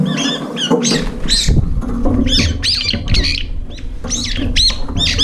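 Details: Late-arriving Brown-eared bulbuls compete for the last food in a feeder bowl, squabbling and fluttering up. Rapid, overlapping shrill squeals and rasping notes come almost continuously over a low rumbling background.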